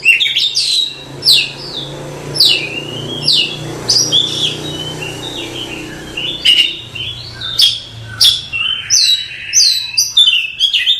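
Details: Oriental magpie-robin, locally kacer, singing masteran song used to train cage birds; loud varied whistled phrases, many sharply falling or rising sweeps and quick trills, delivered almost without pause, with a low steady hum behind.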